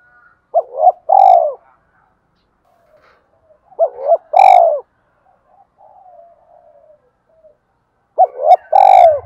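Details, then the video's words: Spotted dove delivering its song to stir other doves: three phrases, each two quick rising coos then a longer buzzy drawn-out note, spaced about three seconds apart, with faint softer cooing between and a brief thump at the end. "tiếng cu gáy đủ bài nghe là ghiền và dùng kích bổi rất hiệu quả"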